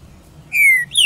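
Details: Green-winged saltator singing: a clear, loud whistled note sliding slowly downward, followed at the end by the start of a higher, brighter second note.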